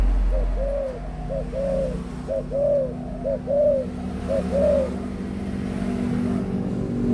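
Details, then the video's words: An adult spotted dove repeats a gentle two-part coo, a quick short note then a longer arched coo, four times in succession before fading into low steady hum. "cu gáy trưởng thành"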